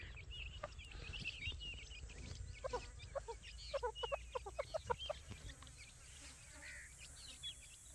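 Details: Feeding grey francolin (Dakhni teetar) chicks give a loose series of short, soft notes that bunch together midway and then fade, while faint high twitters and a low hum continue underneath.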